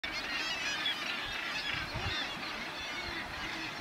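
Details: Northern gannets at a breeding colony with a chick, Bempton Cliffs RSPB, East Yorkshire, July 2012: a dense, continuous chorus of harsh, grating, overlapping calls with steady background roar.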